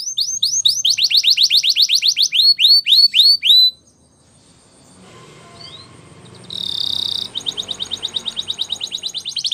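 A Timbrado canary sings fast series of high, sweeping whistled notes, several per second, with a brief buzzy burst and a short quiet gap before the trills resume.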